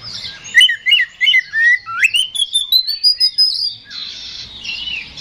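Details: An Oriental magpie-robin sings to provoke a rival to fight: paired swooping whistles, then one long whistled phrase steadily rising in pitch, and a soft buzzy chatter at the end.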